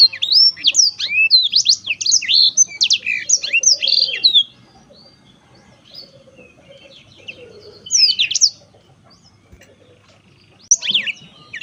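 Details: Black-throated canary in cheerful song: a dense four-second burst of quick high slurred notes, a pause, then two shorter bursts of chirps separated by near silence.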